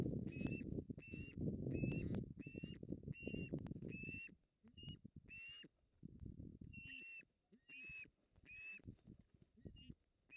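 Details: Osprey pair fighting over a fish at a nest in the Napiwodzko-Ramucka Forest, 16 August 2021. Clear repeated whistled chirps, several per second, with rumbling scuffles early and quieter pauses later.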